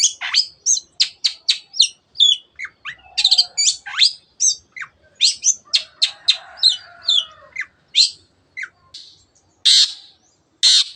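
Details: Long-tailed shrike singing vigorously: a dense, fast series of sharp clicking chips, harsh rasps and slurred whistled notes, nearly continuous for eleven seconds, ending with two loud grating bursts.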